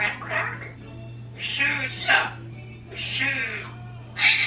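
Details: A 26-year-old African grey parrot and a 16-year-old Quaker parrot left alone at home talk and mimic, with speech, beeps and noises; four raspy, speech-like bursts about a second apart, ending in a sharp high squeak, over a low electrical hum.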